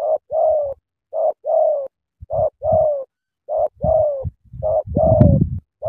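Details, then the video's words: Eager sắm thổ cooing of a Spotted dove from Cà Mau, Vietnam: clear soft coos in pairs, a short note then a longer gently falling one, repeated in a steady rhythm with occasional low thuds behind. "Sắm thổ quá hăng hàng gù tuyệt vời"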